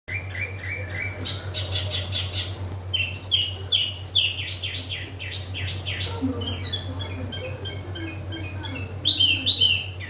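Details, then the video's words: Yellow-vented bulbul, a small caged bird in energetic song: rapid repeated chirps and high whistled notes with varied sweeping phrases, over a constant low hum. "wambi mini gacor"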